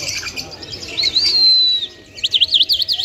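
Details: Lark song, locally called lunda or Afghani jal, Mashadi type, from Parachinar: high thin notes, a long steady whistle near the middle, then a quick run of rising-and-falling looping notes at the end, with a soft background hiss.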